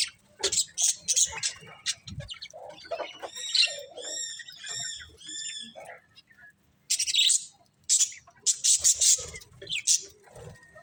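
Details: Budgies chatter in scratchy high chirps, then a run of clear, arching repeated whistled notes, followed by a quiet pause and more loud, sharp chirp bursts.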